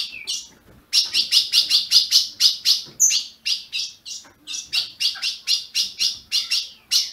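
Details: Brazilian captive Ultramarine grosbeak, recorded to stimulate another kept bird, gives quick, uneven runs of sharp, high chips, close to two per second, broken by a short lull.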